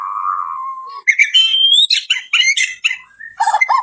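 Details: Song of a white-crowned shama meant for training other birds: a low steady whistle, then a rising clear whistle followed by quick high chirps and scratchy varied notes.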